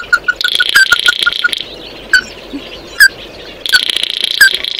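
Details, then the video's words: Oriental white-eye song for calling the flock: a brief series of quick short notes, a few separate sharp chips, and thin buzzy high twitter at the start and end. "Tiếng kêu của chim Tí Hỉ, Chim Mắt Đỏ hót gọi bầy"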